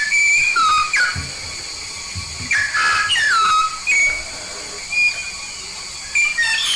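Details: Yellow-faced myna from Papua, described as a frequent singer, giving loud clear whistled notes that slide downward, about seven phrases in bursts separated by short pauses, over a steady background hiss.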